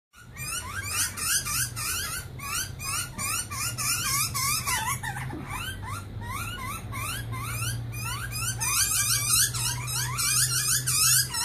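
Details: Young butcherbird begging while a parent feeds it in a back yard near Brisbane, Australia: rapid, insistent squeaky rising notes repeated about three per second, growing louder, over a steady low hum.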